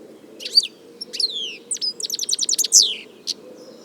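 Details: European goldfinch singing in nature: two slurred, falling whistles, then a quick run of sharp repeated twittering notes and a bright descending slur, followed by a short chirp, over quiet low hum.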